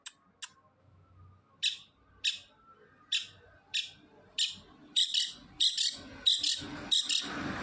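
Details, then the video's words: Singing long-tailed shrike: harsh, scratchy rasps spaced about half a second apart, speeding into denser, louder bursts of grating notes toward the end, with faint low rumbling behind. "BURUNG CENDET GACOR SUARA LOS TROTOL"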